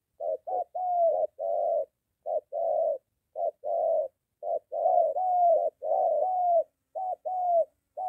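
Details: Cooing spotted dove, recorded near a home in Gia Lai, Vietnam, as a molting decoy bird encounters a wild one. A steady run of soft, low coos in short-long groups, roughly one per second, with no other sounds.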